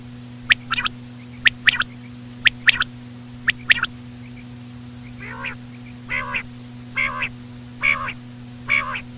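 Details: Common quail with slow female quail calls for luring: first a run of crisp triple-clicked phrases about once a second, then a series of slower, nasal, buzzy calls repeated, against a low steady hum.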